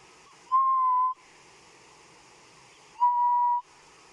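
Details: Grey-headed bushshrike calling in the distance on a sunrise safari drive in October 2015; two long, clear, steady whistles on one pitch, each about half a second long and roughly two and a half seconds apart.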